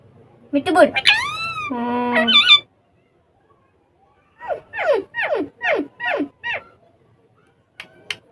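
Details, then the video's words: Ringneck parrots talking and playing on a table, mimicking Urdu or Hindi speech: a burst of harsh squawks and buzzy tones, a pause, then a series of six sharp descending screeches in quick succession, and a final brief squawk. "Ringneck Parrots Talking And Having Fun On Table In Urdu Hindi"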